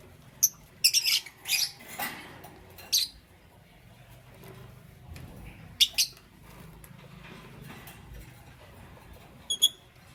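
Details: Morning chirping from caged lovebirds, Parblue Euwing Green Opaline and Green Opaline: a cluster of shrill, scratchy chirps early on, then long quiet stretches broken by isolated sharp high notes.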